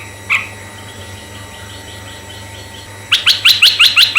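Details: Red-eyed bulbul song for luring other bulbuls: one lone note, nearly three seconds of quiet, then a loud quick series of six crisp rising chirps evenly spaced, with faint hum.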